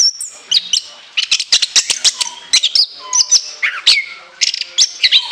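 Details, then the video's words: Orange-headed thrush giving rapid shrill bursts: dense trains of sharp chips alternating with bright high whistles and short downward slurs, in steady energetic phrases. "TEMBAKAN LENGKINGAN ANIS KEMBANG ISIAN PANJANG SEGUDANG"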